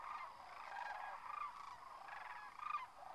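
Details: At a winter roost in Whitewater Draw, Arizona, a huge flock of sandhill cranes departs, their gargling, rolling calls rising and falling in loose pulses, a few nearer birds standing out above the massed background chorus.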